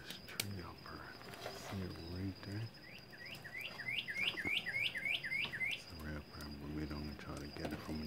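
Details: A northern cardinal in Bermuda sings a quick run of about ten clear, down-slurred whistles. A man talks before and after, and a steady high whine runs throughout.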